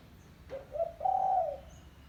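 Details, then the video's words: Spotted dove lure call for drawing in other doves: two short mellow coos followed by a drawn-out, steady, hollow coo, heard clearly over a faint, low background hum. "Suara Burung Tekukur Kampung - Suara Panggilan Pikat Terkukur"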